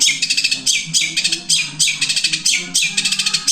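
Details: Long-tailed shrike delivering a fluent song, one breath with three songs: bursts of fast, high, bright twittering notes in quick succession, separated by short gaps, with a faint low hum underneath.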